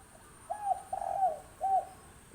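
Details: Young wild spotted dove, six months old, giving one coo phrase of three soft arched notes, the middle one longest, against a faint constant hiss.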